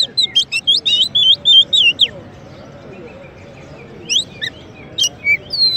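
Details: Champion Oriental magpie-robin (kacer) serving as a tutor and provocation for white-rumped shamas: a rapid run of chirped and whistled notes for two seconds, a quiet stretch, then scattered sharp rising calls.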